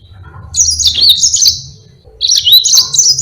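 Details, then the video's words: Yellow-fronted canary in spirited song used to teach other birds. Two rapid, high, warbling phrases, each about one and a half seconds long, are separated by a short pause. "Burung Mozambique GACOR NGEROL PANJANG"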